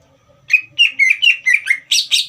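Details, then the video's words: Green leafbird singing in captivity to stir a young speckled bird into song: a rapid series of bright whistled notes, mostly falling, ending in two harsher, buzzier bursts. "CUCAK IJO GACOR INI SPONTAN MEMANCING EMOSI CUCAK IJO BAHAN TROTOL AGAR GACOR"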